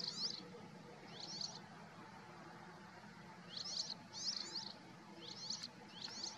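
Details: Syrian serin recorded 17 March 2022 at Tel Kiryot, Israel, giving brief high jingling trills in quick clusters, about six phrases in six seconds, fairly faint against constant low rumble.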